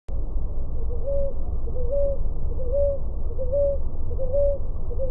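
Ruddy ground dove giving soft two-note coos, a short lower note rising into a longer one, repeated about every second over a steady low rumble.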